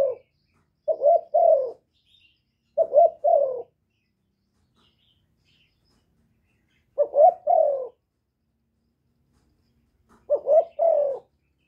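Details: Spotted dove, a kept decoy bird calling to attract wild doves: paired coos repeated in groups about every two seconds, each a short note followed by a longer falling one, with clean silence between phrases.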